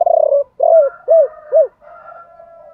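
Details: Spotted dove, male and female birds, cooing to stimulate other doves: a rolling trill followed by three rounded, downslurred hoots about half a second apart, then a faint sustained murmur.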